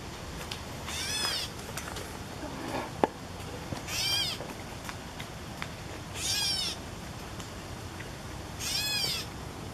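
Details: A catbird near a post on 14 July 2014 gives harsh, nasal, cat-like mews, each a grating downslurred note repeated about every two seconds.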